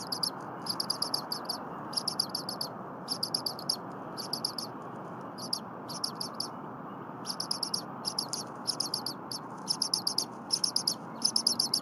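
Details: Eaglet of a wild bald eagle pair at the Berry College nest, early morning in January, giving incessant chirps as the mother returns and preps stiff prey. Shrill chirp bursts repeat every second or so, growing quicker and louder toward the end.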